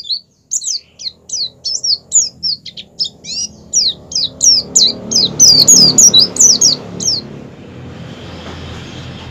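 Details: Oriental white-eye with a rolling 'ngerol' song joined with wild-style 'ngalas', used as a lure to prompt white-eyes to open their beaks and sing. Fast, regular run of high, thin, slurred chirps for seven seconds, then low rumbling noise.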